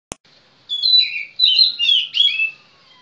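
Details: Magpie-robin (kacer) singing a short burst of rich, varied whistled notes, sliding up and down in several quick linked phrases after a single sharp click.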